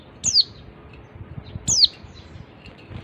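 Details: Female Oriental white-eye giving two thin, high, downslurred chirps about one and a half seconds apart, over faint background hiss; used as a lure to get silent or flock-kept males singing.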